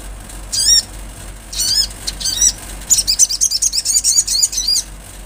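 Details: Natural-sound recording of an olive-backed sunbird in full song: short groups of high, thin, wavering notes, then a rapid rattling series of very high sharp chips.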